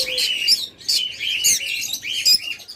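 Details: Breeding pairs of lovebirds at a bird farm in Bangladesh chattering in shrill, high chirps and squeaky rasping notes, several birds overlapping in quick bursts with barely a pause.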